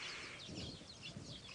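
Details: Weaver chicks in the nest beg for food from adults as females arrive to feed them, on a wet evening of March 19, 2017. They make a busy chorus of high, thin chirps and squeaky chatter over a low rumble of engine or wind.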